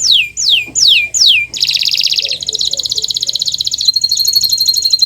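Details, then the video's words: Kenari Nusantara canary singing, a master track meant to trigger song in silent canaries: three loud descending whistles, then a long fast buzzy trill shifting into a thin, higher rattling trill. "Masteran Burung Kenari untuk Pancingan Burung Macet Bunyi"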